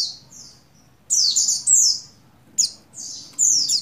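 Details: Female Oriental white-eye of the buxtoni form, in breeding condition, calling to a male: two soft high descending notes, a pause, then loud buzzy downslurred phrases around one second long, repeated twice more, with faint low background hum.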